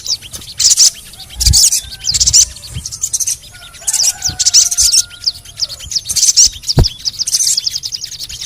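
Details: Sogon, played to prompt other sogon birds to start calling, gives sharp high chirps and rapid scratchy bursts in clusters every second or so. Faint lower whistled tones from other birds sound behind it.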